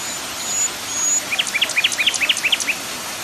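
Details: Common nightingale song mixed with waterfall sound: two thin, high sustained whistles, then a fast burst of about fifteen sharp, bright chirps over a steady background hiss.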